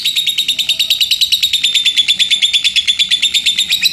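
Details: Ngekek chatter from a lovebird, a rapid, even string of bright, squeaky notes pouring out nearly three times a second without a pause.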